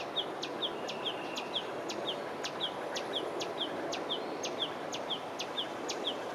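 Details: Yellow-vented bulbul calling in Phnom Penh, Cambodia: short, high, down-slurred chirps about twice a second, each paired with a sharp click, over steady background hiss.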